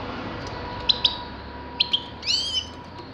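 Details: Grey-crowned goldfinch: a few separate sharp clicking ticks, then a short buzzy, nasal call with layered overtones.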